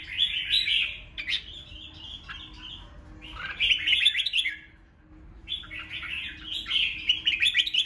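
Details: Red-whiskered bulbul fighting song meant to stir rival birds: three bursts of rapid, chattering, whistled phrases, each a couple of seconds long with gaps between, over a faint steady low hum.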